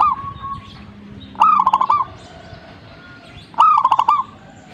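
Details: Zebra dove singing actively: two short cooing phrases, each a quick run of clipped, bubbling notes ending in a soft rolled flourish, spaced about two seconds apart over quiet background hiss.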